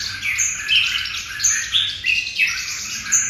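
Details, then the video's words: Red-whiskered bulbul singing in the Vietnamese 'hút mật' style; sweet, sliding whistled notes with quick rising and falling turns, delivered in a steady flowing sequence. "Đẳng cấp Hút mật của Hiệp Đồng Nai"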